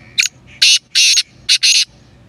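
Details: Black francolin giving its call, five loud, rasping, grating notes in two groups, a brief first note followed by longer harsh ones, with a steady faint low hum between the notes.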